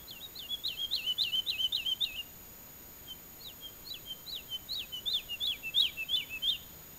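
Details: Woodlark in early summer on former pasture land in southern Alentejo, Portugal, about 20 metres off: clear series of repeated liquid, looping whistled notes, a brief pause, then another rising, accelerating series.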